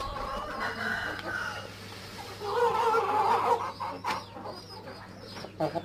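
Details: Aseel rooster crowing amid farm clamour: a drawn-out, harmonic-rich crow swelling near the middle, followed by shorter broken calls, with clucking and background voices around it.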